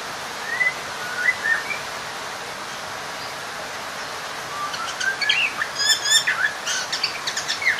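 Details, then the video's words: Oriental magpie-robin singing to call out a rival, used as a lure to provoke other magpie-robins; after a quiet start, scattered whistled notes build into a varied burst of sweet rising and falling phrases with sharp chips near the end. "Pancingan suara Burung kacer/ mencari lawan Bikin Emosi seketika"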